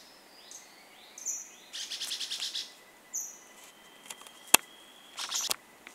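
Chestnut-bellied Euphonia giving high, thin downslurred whistles and harsh, buzzy rattling bursts at irregular intervals, over a faint insect hum.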